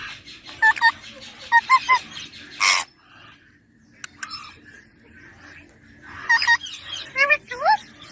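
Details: Baby ringneck parakeet giving short harmonic chirps and squeaky notes in two bursts, separated by a quiet pause of about three seconds, with a faint low hum underneath.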